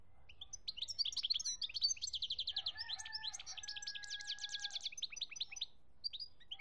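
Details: Singing European goldfinch recorded in Algeria in 2017, a long run of fast chattering and twittering notes with a rapid trilled stretch, accompanied by a steady lower whistled tone in the middle.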